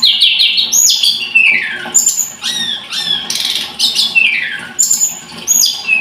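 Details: Song of a scarlet-headed flowerpecker: a rapid trill of repeated notes opens, followed by falling slurred whistles, clipped buzzy notes and scattered sharp chips.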